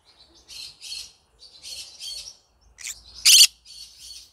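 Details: Yellow-sided green-cheeked conure giving a series of soft, raspy chirps in pairs, then one sharp, loud, grating squawk before more quiet scratchy notes.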